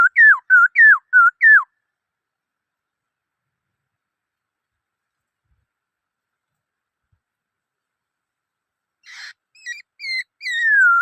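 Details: Black-throated laughingthrush giving a short burst of five looping whistled notes, a long silence, then a few clear whistles ending in a drawn-out falling note.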